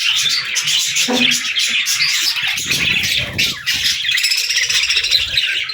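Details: Young budgerigars playing and talking, lively continuous warbling chatter with sharp chirps and squawks, plus a brief low rumble of movement around the third second.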